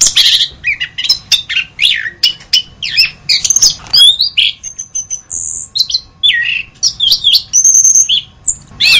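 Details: Orange-headed thrush in full song: a busy jumble of high scratchy phrases gives way to long pure whistles held at a steady pitch, broken by short sharp notes, against a faint hum.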